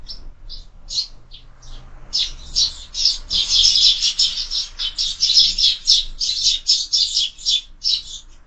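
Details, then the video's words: Sparrows at a window-mounted feeder on a busy morning: a few scattered chips build into a fast, steady stream of loud chirps, several per second, to the end. "Воробьи в кормушке - утро всегда бойкое"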